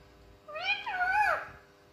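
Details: Pet parrot indoors giving a single drawn-out, wavering, nasal call about a second long that rises and then falls, with a quiet room behind it.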